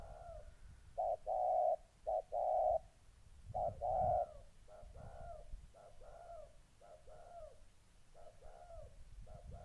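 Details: Molting spotted dove decoy confronting a fight-eager wild dove, Gia Lai, Vietnam, 14 August 2020: loud two-part coos, clipped note then drawn-out hoot, followed by a run of fainter, falling coos from another dove in the background.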